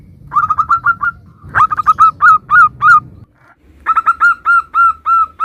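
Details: Zebra dove of a local strain singing to provoke replies: a quick series of soft coos, then slower, louder rolling notes, a short silence, and another run of evenly spaced coos.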